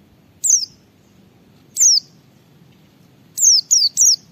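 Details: A white-eye sings hard in ngalas style as a lure for other white-eyes: piercing high whistles that drop steeply in pitch, one, then another after a second, then a quick burst of three.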